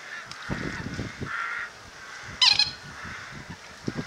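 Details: Eurasian coots fighting and sparring at Slimbridge wetland reserve, recorded from a hide around noon in mid April on a misty day, handheld camcorder. One loud, sharp, harsh call stands out midway over soft splashing and faint distant tonal calls.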